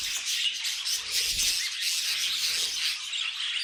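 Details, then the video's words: Budgerigars kept as pets singing together, a busy high-pitched twitter of overlapping squeaks and warbled chirps, with a faint low thump partway through. "Budgies Singing and Being Cute"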